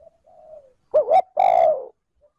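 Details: Single phrase from a kept decoy spotted dove in 'trơn ròng' style, meant to stimulate wild doves. A soft lead-in is followed by a wavering two-part note and a long, full, gently falling coo.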